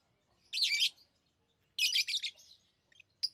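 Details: Tame lovebirds chirping: two loud, scratchy, buzzy chirp bursts about a second apart, the second trailing into softer notes, followed by a couple of brief squeaks.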